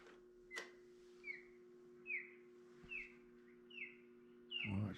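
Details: An osprey call, heard at a bird information display at Tiny Marsh, Ontario: a series of short, bright whistled chirps, each slipping slightly downward, about one per second, over a steady electrical hum, ending in a clunk.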